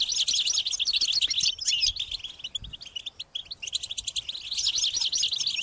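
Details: European goldfinch chicks beg their parents for food: fast, shrill twittering in dense bursts at the start and end, with a quieter stretch of sparse chirps in the middle.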